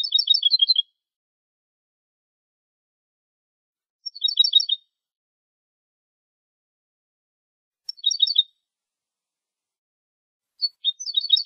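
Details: European goldfinch clean contest-style song recorded as a training copy, Málaga, 2020: four bursts of rapid, high, tinkling twitters, each under a second, spaced about four seconds apart, over a silent background.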